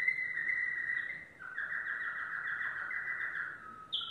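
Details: Yellow domestic canary singing: a sustained run of rapid trills and rolls held steady, shifting pitch partway through, ending with a brief higher buzzy note.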